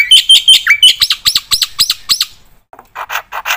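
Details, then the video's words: Black-winged myna singing vigorously, a song meant for prompting and tutoring other birds: a rapid run of loud, sharp whistled notes, then a brief gap and several harsher, buzzy notes. "suara burung jalak putih gacor full isian PATEN untuk pancingan dan masteran"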